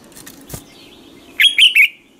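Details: Red-whiskered bulbul, a training song recorded in the morning: a short phrase of three loud, bright whistled notes around the upper-middle range, each slurred and warbling, following a faint thin whistle and a soft rustle.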